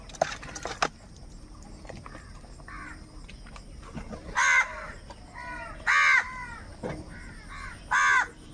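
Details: Crows squabbling over food give harsh, hoarse caws about every one and a half seconds, interleaved with fainter distant calls and a few sharp clicks near the start.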